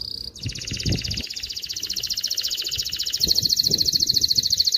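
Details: Canary song intended to coach chicks and excite females for breeding: a single long, dense rolling trill held for several seconds, growing louder toward the end, with faint low background rumbling.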